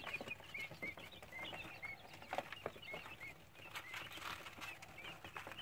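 Quail chicks give thin, high peeps, short and repeated every half second or so, over a steady rustle of scratching and movement.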